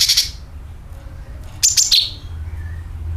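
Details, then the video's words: Sooty-headed bulbul calling, used as a lure to attract birds, in a calling call with rasping nyeret notes: two bursts of sharp, high, harsh chirps, one at the start and another after a pause, over a low rumble. "CUCAK KINOI ||PANCINGAN PALING AMPUH TERBUKTI PASTI IKU BUNYI SUARA PANGILAN + NYERET"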